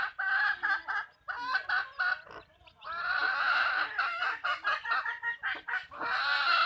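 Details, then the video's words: Backyard farm chickens clucking loudly in a dense chorus of harsh, broad clucks and cackles, several birds overlapping with brief pauses, the calls bursting in rapid clusters throughout. "Backyard chicken farm | chickens clucking | hens clucking"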